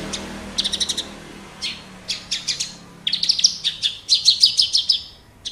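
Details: Wates Horsfield's bush lark kept in captivity in Java, singing hard: bursts of rapid high twittering notes in short clusters, separated by brief pauses, ending in a longer fast chattering run over low background hum.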